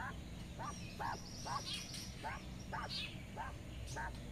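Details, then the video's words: Domestic mother quail outdoors grazing in sunshine, calling her twelve small chicks to follow her: soft short hooting notes repeated about twice a second, with faint high chick peeps and steady low background hum. "Mother quail calling to her cute baby chicks, some are left! - quail sound"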